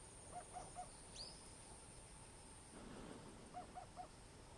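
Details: Eurasian hoopoe breeding song on Ishigaki Island, Okinawa, Japan, in mid-April. A soft, hollow triple 'oop-oop-oop' at low pitch, a pause, then another evenly spaced triplet. A steady high buzz of Iwasaki grass cicadas and one sharp chirp are also heard.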